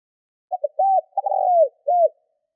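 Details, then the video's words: Spotted dove kept as a decoy, calling in 'gáy gù' style to lure wild birds: quick paired coos, an arched note, a stuttered lead-in to a drawn-out descending coo, then a last curved coo, clean and quiet background. "Cu gáy mồi gáy gù kích bổi nhanh nổi Hiệu quả / Tiếng chim cu gáy"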